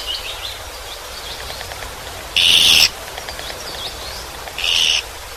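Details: Two dry, buzzy rasps from a Japanese pygmy woodpecker in Yeoncheon, South Korea, a couple of seconds apart, with soft high twittering from other small birds and a steady background hiss.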